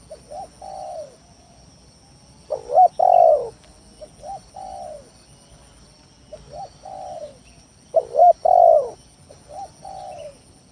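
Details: Spotted dove (tekukur tanah) lure song used to draw rivals into calling: two full phrases of soft coos building to a loud double coo and long falling coo, separated by quiet pauses.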